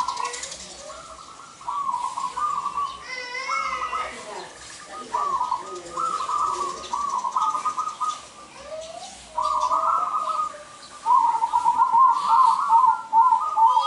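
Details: Vigorous perched cooing of a local zebra dove meant to attract males for trapping; repeated trilled coo phrases with short pauses, a faster bubbling trill near the end, and a brief higher chatter around the middle.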